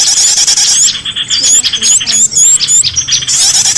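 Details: Used to tempt escaped pet birds home, this small-bird chorus carries thin, high chirping, with a run of distinct looping whistles in the middle between denser twittering at each end.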